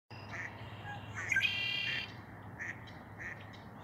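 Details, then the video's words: Red-winged blackbird at Lake Josephine, Billings, Montana, giving harsh, nasal chack notes about once a second, with a brief buzzy, rasping burst in the middle; a steady low hum underneath. "What makes that sound? Red - winged blackbird."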